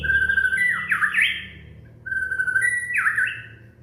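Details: Young white-rumped shama from Indonesia singing, used to prompt other shamas to sing: two clear whistled phrases, each a long steady note that breaks into rising and falling slurred notes, with a short pause between.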